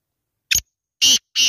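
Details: Black francolin calling: a short harsh note, then two longer grating, buzzy bursts about a third of a second apart, with clean silence between notes and no other sounds.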